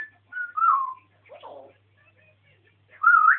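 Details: Pet African grey parrot whistling during a rant: a sliding falling whistle, a short rough squawk, a pause, then a rising whistled note to finish, with faint background hum.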